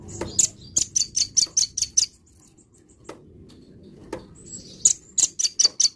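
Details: Morning song of a velvet-fronted nuthatch, two bursts of rapid, shrill, evenly spaced chips, about seven then five notes, separated by a few seconds of quiet with a couple of isolated clicks.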